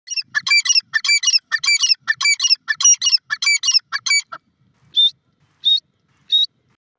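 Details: Francolin calling: a series of about eight loud, harsh, rhythmic grating phrases roughly twice a second, then three shorter clear rising notes spaced apart.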